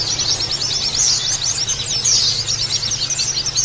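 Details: Oriental white-eye song used as a lure and therapy track to make other birds sing open-beaked: dense, rapid high twittering of thin chirps and trills, several voices overlapping, over a steady low electrical hum.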